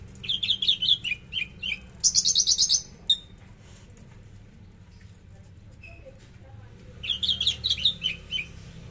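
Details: Javan bush lark singing in the trotol style with fierce bursts: high trilled, warbling phrases of rapid notes, then a brief pause before another bright twittering run resumes, over a faint low hum.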